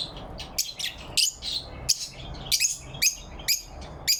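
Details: Cheerful lovebirds on a November 4, 2023 morning give short, harsh, high-pitched chirps at a fairly steady pace, about one every half second.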